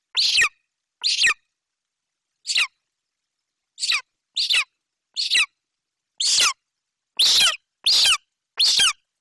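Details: Golden eagle chick in a Romanian nest tree screaming for the magpie its mother carries in; ten harsh, high screams at uneven intervals, some short and some longer, growing louder and faster toward the end.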